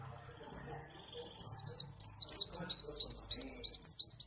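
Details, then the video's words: Song of a white-eye (pleci) from Malang: soft high twittering that builds into a loud, rapid chain of shrill, downward-sweeping notes repeated about three times a second. "pleci Malang suara mantap"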